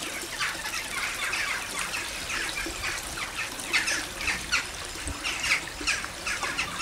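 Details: Large numbers of crows flying over a garden to roost in the evening at Fremington, North Devon, UK, in January 2010: a dense, continuous chorus of harsh overlapping caws and squawks, with louder individual calls standing out.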